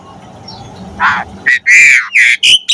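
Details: Asian pied starling in lively, full-variation song used for tutoring and stimulating other starlings; after a quiet start, harsh scratchy bursts and clear ringing notes come in quick succession.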